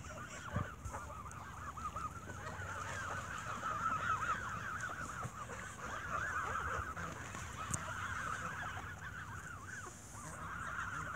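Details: A flock of geese squabbling while being fed bread in the evening; dense, overlapping nasal honks and chatter run continuously and fast, with faint low rumble beneath.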